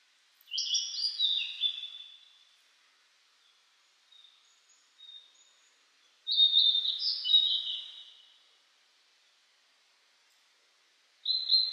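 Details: Blue-and-white flycatcher in spring 2022, singing in fresh green mountain forest after rain, on a cloudy 14°C day. Two loud phrases of clear, descending whistles are separated by a few soft notes, and a third phrase begins at the end.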